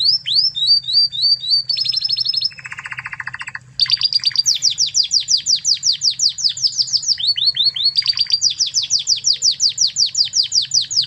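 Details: Spanish Timbrado canary of Spanish origin, recorded as a master for teaching other canaries, delivers quick high chirps, a lower buzzing rattle, then long runs of fast repeated sweeping notes, loud and steady.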